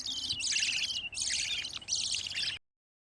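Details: A budgerigar chick among fifteen gives three loud, harsh, harmonic rasping bursts, each under a second, separated by short gaps, before the sound cuts off abruptly.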